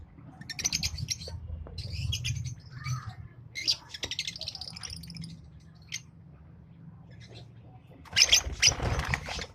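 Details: Green Fischer's lovebird pair chattering in rapid high-pitched trilled bursts, short runs of squeaky notes separated by pauses, with a louder burst of shrill chirps near the end over a low background hum.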